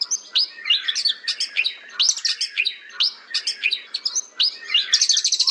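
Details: White-rumped shama singing a varied, fast song: high chattering notes and sharp chirps mixed with lower whistled phrases, delivered in short bursts about twice a second, with a clean quiet background.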